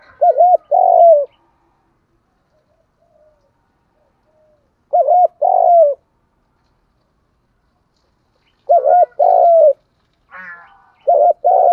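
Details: Decoy spotted dove singing the thúc gù voice meant to stir up wild doves: four low, mellow coo phrases, each a short double note followed by a longer sliding coo, spaced unevenly, with a brief faint chirp near the end.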